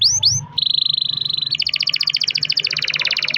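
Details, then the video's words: Canary singing a long roller to trigger singing in other canaries: two quick rising whistles, a steady even trill, then a faster pulsed trill that drops slightly in pitch. "kenari gacor ROL PANJANG buat pancingan kenari agar bunyi"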